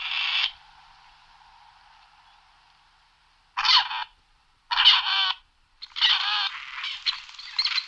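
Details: Grey partridge (Perdix perdix) giving loud, harsh, creaking rasping calls, each about half a second long, in an irregular series of four with silent gaps between them.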